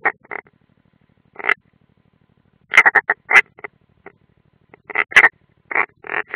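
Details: At a nest in Latvia's Ādaži training ground on 30 June 2016, European rollers, one unringed, give short croaking notes in small clusters separated by silences, with a faint low hum underneath.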